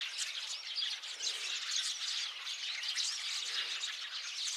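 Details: Flock of sparrows calling together, recorded 8 February 2024: a dense, continuous wall of overlapping chirps and squawks, many birds at once with no single voice standing out.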